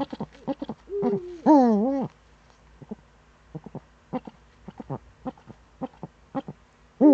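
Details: Eurasian eagle-owl in the Eifel, Germany, on a September 2013 morning: scattered short low clipped notes, a brief flat tone, then a harsh, wavering, overtone-rich cry lasting half a second, and more short notes after a pause.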